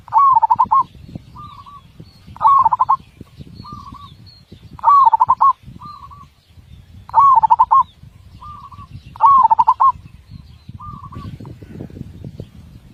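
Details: Big-voiced zebra dove song with tightly packed beats: five loud pulsed cooing phrases about two and a half seconds apart, each trailed by a soft short purr, over a low continuous rumble.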